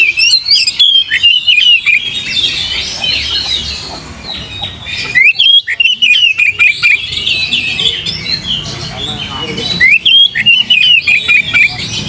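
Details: Oriental magpie-robin song played to provoke singing: loud, varied whistled phrases with sharp upslurred notes and rapid chattering bursts, broken by brief pauses near five and ten seconds.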